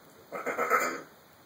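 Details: Male African grey parrot, alone indoors and recorded on a phone, doing sound effects: one harsh, nasal, bleat-like call lasting about two-thirds of a second.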